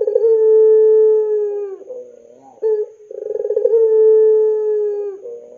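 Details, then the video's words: Pelung-style Barbary dove, a lure recording for young birds: two very long, steady, deep coos, each ending in a short wavering flourish, with a brief stutter between them. "SUARA PANCINGAN BURUNG PUTER PELUNG GACOR COCOK UNTUK MASTERAN PUTER MUDA"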